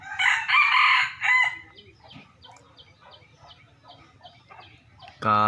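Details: Young rooster kept by its owner crows loudly for over a second, a harsh drawn-out cry, followed by quieter chirping of small birds and a sudden loud noise at the end.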